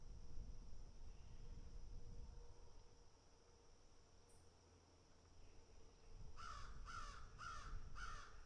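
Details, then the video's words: Crows feeding, picking and eating: a low rumbling background for six seconds, then a run of four rasping caws spaced roughly half a second apart closes the recording. "crows picking and eating"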